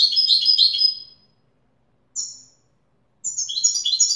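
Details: European goldfinch singing authentic Widani-style song: a rapid tinkling phrase, a lone sharp chirp, then another burst of high, jangling twitters after a short silence.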